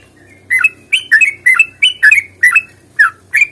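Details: Sooty-headed bulbul fighting song, used as a lure to make quiet birds sing. It gives short, throaty, chirping double notes at an uneven beat, roughly two or three per second, after a brief silence.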